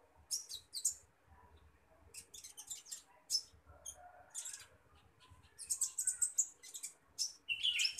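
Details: Common iora chirping while being fed; bursts of high, sharp chirps and short twittering notes come in quick clusters, with a few brief whistled touches near the end and faint low rumble beneath.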